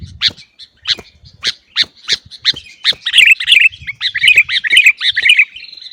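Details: Sooty-headed bulbul tutor song for caged birds: evenly spaced crisp chirps about every third of a second build into a fast, tumbling chatter of rich, fluty notes.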